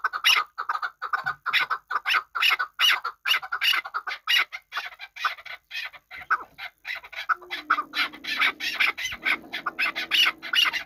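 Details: Qabodiyon hunting chukar partridge keeps up a fast series of repeated chuck notes for ten seconds, while a low steady hum rises in the background during the latter part.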